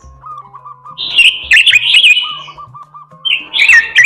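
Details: Melodious gacor isian song of an oriental magpie-robin: bursts of rich, quavering whistles with sharp ticks, separated by soft runs of quick low notes in the background.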